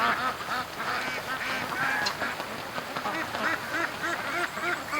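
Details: Many farm ducks calling during their morning rush out of the pen toward the creek; continuous overlapping nasal quacks from a large flock, no single bird standing out.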